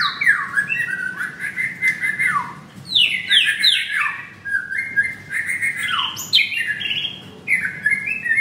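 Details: Caged male white-rumped shama with a blue leg ring, at a bird kiosk in Kemayoran, Jakarta, singing whistled phrases that sweep downward, fast high descending slurs in quick groups, and short trills, steady and loud throughout.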